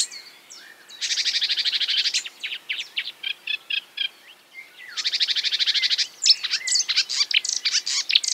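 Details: Marsh warbler imitating other birds, alternating two long, dense buzzing rattles with spaced clicking chirps and quick varied whistles.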